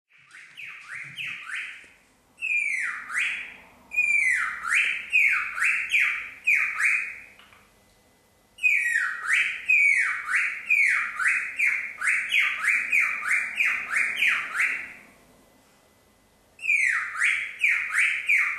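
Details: A happy pet cockatiel (Nymphicus hollandicus) mimics sound effects, whistling bursts of fast, looping sweeps that sound like an electronic alarm.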